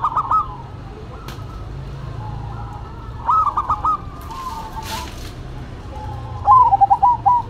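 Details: Zebra doves in a duet between a local bird and a cemani bird: soft, stuttering cooing phrases of quick repeated notes, heard in three separate bursts with quiet low hum between them.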